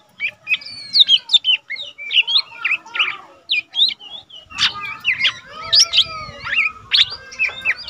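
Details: Lesser green leafbird kept in a cage, untrained but already singing eagerly, used to tutor cage birds. Busy, chattering song of chirps, twangy slurs and trills, with a faint low rumble joining midway.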